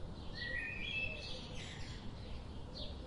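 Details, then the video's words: Young bulbuls in the nest being fed, heard as a short run of high, squeaky whistled chirps in the first second, then fainter scratchy notes over a steady noisy background. "Bulbul baby birds in nest."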